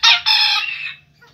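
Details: An 11-month-old Pelung rooster with a large heavy body, white legs, white wattles and a crop full of corn gives a brief, rich, harmonic crow that holds steady, then fades away.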